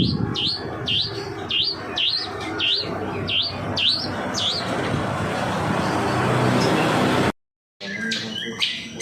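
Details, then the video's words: Long-tailed shrike song played as a lure to get shrikes singing: a string of sharp, high, swooping notes repeated about twice a second for several seconds, then a noisy stretch, a brief silence and a few more scratchy notes. "Pancingan Burung Pentet Agar Mau Bunyi"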